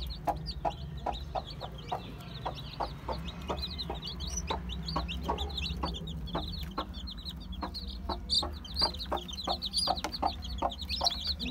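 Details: A crowd of one-day-old chicks, Aseel, Heera, Java and Muska, fills the air with dense, continuous high cheeping. Regular tapping clicks run through it, and a low steady hum sits underneath.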